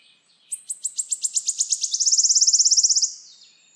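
A wood warbler sings high, ticking notes that speed up and run into a fast, shivering trill lasting about a second.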